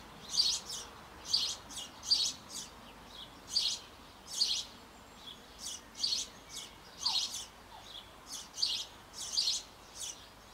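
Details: Sparrow young nearly ready to fledge, in a Bavarian birdhouse on an old apple tree, beg at feeding time from both parents: a steady run of about a dozen harsh, buzzy chirps spaced under a second apart.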